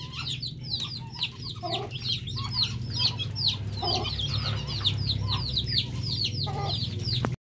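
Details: Male whistling duck, used as a lure call, gives a dense chorus of thin, high whistled notes, many overlapping and repeated rapidly, over a steady low hum.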